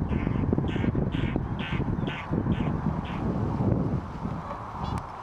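Eurasian oystercatcher giving a run of about eight loud, sharp piping notes, roughly two per second, over a heavy rumble of wind or surf.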